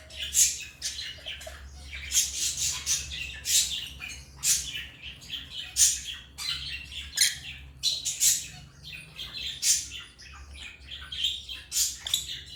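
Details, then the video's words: Chattering African lovebirds: dense, continuous high-pitched chirps and scratchy squawks in quick irregular bursts, barely pausing, above a soft low hum. "Love birds singing and chirping sounds| African love birds chirping sound"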